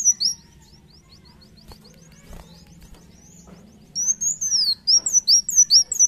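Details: Vigorous song of a sunbird called kolibri wulung: a loud high whistle, then a long stretch of faint, rapid ticking notes, then a dense closing series of sharp, high, down-slurred whistles repeated quickly over a steady low hum.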